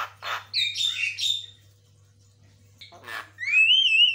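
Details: White-rumped shama delivering quick chattering song meant as a lure and master sound: harsh buzzy bursts, a short pause, then a clear whistle rising and holding steady, with a low background hum.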